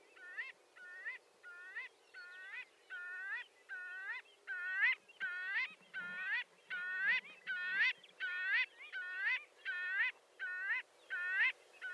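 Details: Marbled godwit (Limosa fedoa), a shorebird, gives a steady run of loud, nasal, harmonic calls. Each note is short and hooked, rising then dropping, repeated about 80 times a minute for twelve seconds against a quiet background.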